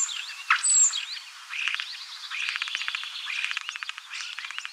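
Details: Common starling song: a thin high whistle near the start, then a continuous chattering stream of rattles, clicks and short warbled phrases.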